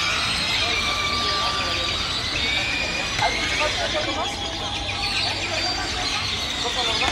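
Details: Many grackles gather on a town square in Valle de Bravo, Mexico, in the evening, calling at once in a dense chorus of squeaky whistles, slurred rising notes and harsh chatter, with faint town noise underneath.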